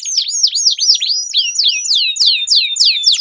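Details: Canary singing as a training lure for competition birds: loud, rapid, crossing downward and upward chirps repeated in a steady rolling pattern.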